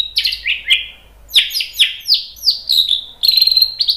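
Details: An agitated white-rumped shama delivers its provoking song in a run of strong, downward-slurred whistles, about five in quick succession, ending in a buzzy, rapidly trilled high phrase.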